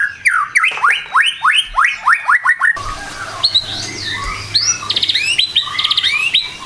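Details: White-rumped shama in morning song: a rapid series of rising whistles slowing toward its end, then after a break varied high warbled and stuttering notes.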